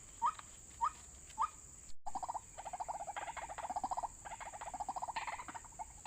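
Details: White-breasted waterhen call, played as a lure for bird trapping: three short rising notes, then a fast run of pulsed, croaking notes repeated several times a second, over a steady high electronic whine.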